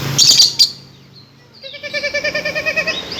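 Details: Lory, local name nuri, its call likened to a kuntilanak ghost: a loud shrill screech, then a pause, then a steady trill of nasal, harmonic notes repeated about six times per second.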